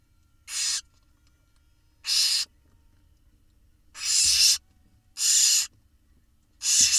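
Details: Begging barn owl chicks filmed by nest camera in Israel, eggs laid 9 April 2021, being fed by their mother and father: five rough, broadband hisses about half a second long, spaced irregularly, with faint low thumps beneath.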